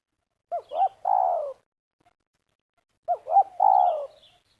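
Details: ['Spotted dove calling during snare-trap luring in Liwa, West Lampung, Indonesia, meruas style: two identical phrases about two and a half seconds apart, each two short hooked coos and a long falling coo, with faint high chirps of other birds.']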